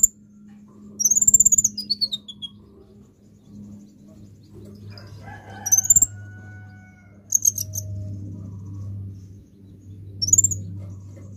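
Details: Lure recording of an olive-backed sunbird, known locally as kolibri ninja: four widely spaced bursts of thin, rapid, high-pitched trilling over about eleven seconds, the first sliding downward, with a low background hum.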